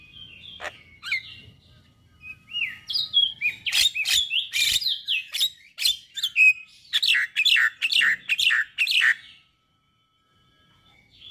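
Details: White-eyed male Javan myna delivering song that is said to get other mynas singing: dense jumbled chatter of harsh squeaks, rising whistles and grating notes for several seconds, then silence.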